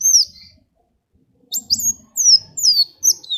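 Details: Sunbird (kolibri wulung), sung so that other birds join in: a long falling whistle, then a silence, then a rapid series of high sliding whistled notes over faint low rustling.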